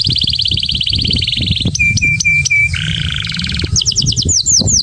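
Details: Excited male Atlantic canary singing to stimulate a female for mating: a long buzzy rolled tour, a run of sharp repeated high chips, a lower rattling trill, then quick rising-falling whistled notes, over low background rumble.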